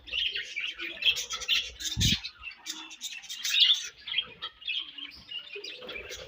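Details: Budgies chirping while eating: dense, overlapping high twittering and chattering with scratchy warbled notes, continuous with brief pauses, plus a short low thump around the two-second mark.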